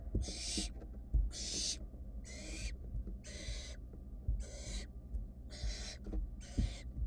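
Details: Wild barn owl nestlings in a nest box, still searching after a sibling quickly swallowed a mouse; repeated grating hiss-screeches, seven in about seven seconds, over thumps and scraping in the box.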